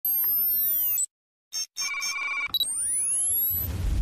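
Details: Electronic ringing tones with sweeping, bell-like harmonic slides, broken by brief silences, with no animal voice heard.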